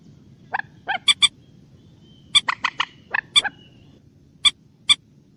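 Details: Common moorhen special call: sharp, nasal kek notes, some in quick pairs or groups of three, others spaced about half a second apart, over quiet low background noise.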